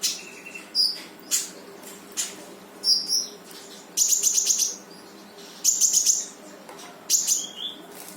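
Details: Brown-throated sunbird delivering 'full tembakan' song to lure a reluctant sunbird into singing: sharp high chips followed by rapid trilled bursts of very high notes, repeated several times, over a steady faint hum.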